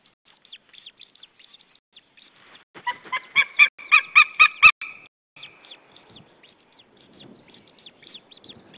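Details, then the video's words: A white-tailed eagle pair at the Saunja nest in Estonia, 26 April 2013, evening, calls out at another eagle: faint high ticks, then a loud two-second burst of rapid yelping notes, then quieter ticking again. "Saunja Sulev arrived shouting than came Linda, both shouting to another WTE"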